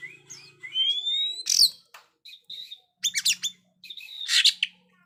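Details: Oriental magpie-robin singing to train young birds not yet singing: a long rising whistle followed by loud harsh rasps and chips in short bursts, with a faint low hum in the background.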